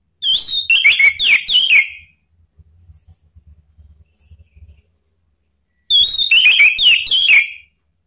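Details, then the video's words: Male orange-headed thrush answering spontaneously in ngeplong style, played to provoke other birds: rapid bursts of sharp whistled notes about four per second, a gap with soft low knocking, then another fast whistled burst. "ANIS MERAH JANTAN SPONTAN ikut NYAUT NGEPLONG"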